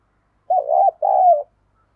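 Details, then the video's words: Decoy coo of a spotted dove for luring wild birds, given as a short wavering hoot followed by a longer, gently descending coo, with nothing else audible. "Chim Cu Gáy Mồi Cây Mới Nhất Chuẩn Kích Bổi"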